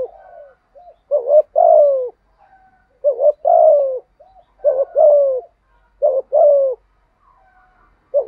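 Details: Spotted dove giving a patterned cooing sequence meant to prompt other doves to call back: about five phrases, each a short low coo followed by a longer, descending purring coo, repeated roughly every second and a half in a quiet setting.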